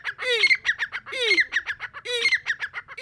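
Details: Breeding-season call of a Deccani partridge: three loud, rasping phrases, each opening with a low falling note, then a ringing whistle and several quick harsh notes, one phrase per second.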